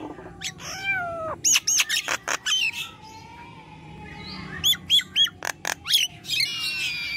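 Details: Nias hill myna singing 'gacor' for sound therapy of stalled mynas; a falling harmonic whistle, then bursts of short, bright arched whistles in quick series, separated by a quieter gap.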